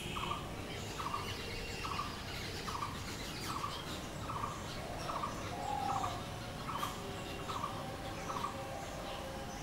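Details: Blue-throated barbet calling in a long, steady series of short, rattling, mid-pitched notes spaced just under a second apart, with a brief drawn-out whistle in the middle and faint high birdsong behind.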